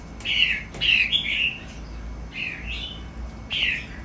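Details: Red-whiskered Bulbul breeding bird kept in a cage at a Thai bulbul breeding farm, singing in a playful manner: rich, slightly harsh whistled phrases that slur down and up, repeated in groups with short pauses.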